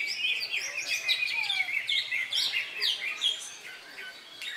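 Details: At an Indonesian songbird contest on 3 September, a newly molted greater green leafbird delivers quick chattering phrases and bright whistles, overlapped by other birds and light background noise.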